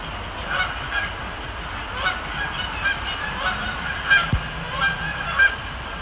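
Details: Flock of Canada geese at night, Sapsucker Woods Pond at the Cornell Lab of Ornithology, October; a run of nasal honks roughly every half second to second, louder toward the end, over background hum and one sharp click.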